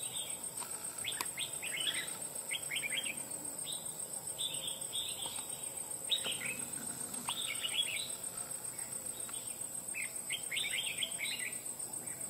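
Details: Red-whiskered bulbul newly trapped from the wild after almost two months of effort, crest up and displaying. Quick chirpy, slurred phrases come in bursts throughout, loud and clear, above a constant thin insect drone.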